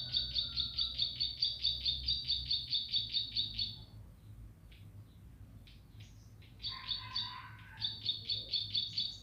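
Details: Bar-winged prinia singing energetically: a long fast run of buzzy, clipped notes repeated about twice a second for four seconds, a pause with scattered chirps, then another rapid run, over a low background hum.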